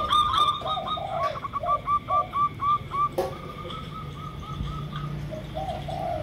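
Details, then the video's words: Local zebra dove, used as a lure, giving a fast series of clipped, evenly spaced coo notes that fades toward the end, with lower spotted dove coos and a sharp click partway through. "Pancingan Ampuh!! Perkutut Lokal Misterius"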